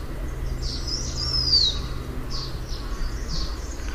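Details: A single high, thin, falling whistle from a blue-winged minla, surrounded by soft fuzzy chirps and a constant low rumble.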